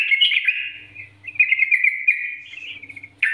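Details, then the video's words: Vigorous NGGARUDA-style song of a yellow-vented bulbul, a master recording for prompting other bulbuls to sing: continuous liquid warbling chatter, slightly descending, then a fresh loud burst at the end over a faint low hum. "Masteran Trucukan Gacor NGGARUDA ini Rekomendasi untuk pancingan trucukan agar bunyi gacor"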